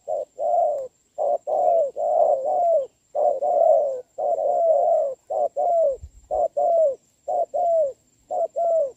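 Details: In a rainy trapping match on 26 November 2022, a decoy spotted dove answers a strong-voiced wild male; dense runs of husky cooing notes, some long and sliding downward, with a faint knock midway.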